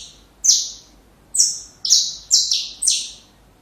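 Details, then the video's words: Saffron finch singing, recorded for young birds to imitate: five bright, buzzy, high notes that fall in steps, the first alone, the last four close together about half a second apart. "Canário da Terra Canto Perfeito Para filhotes"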